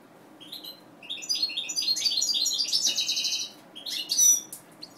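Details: Mutation European goldfinch bred in captivity, giving a rapid tinkling phrase of high chirps and liquid twitters that builds into a buzzy trill, then a short sharp flourish at the end.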